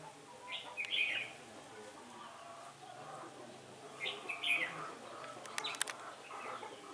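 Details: Red-whiskered bulbul acting as decoy in a trapping session on a windy day, 15 October 2017: two bouncy whistled phrases about three seconds apart, followed by sharp clicking knocks and faint softer notes.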